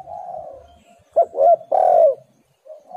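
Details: Spotted dove cooing, used as a lure to make other doves call: a soft low drawn-out coo, then three louder mellow coos in quick succession, the last one longest, and a quiet coo starting again at the end.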